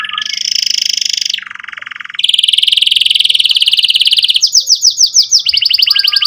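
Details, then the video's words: Vigorous canary singing, aimed at teaching young canaries and at restarting birds that stopped singing. Trills shift between higher and lower pitch, then turn into slower sweeping slurs before a final fast roll. "Kenari Gacor Cuit Cuit EMOSI"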